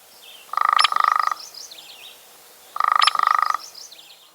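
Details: Hairy woodpecker drums to define territory and call mates: two fast, even, ringing rolls, each just under a second and about two seconds apart, with faint chirps of other birds behind.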